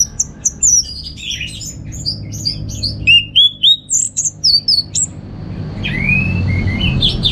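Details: Home-kept orange-headed thrush in Singaraja, Bali, singing a rapid string of short high chirps and upslurred whistles, about three to four notes per second, ending in a lower warbled phrase.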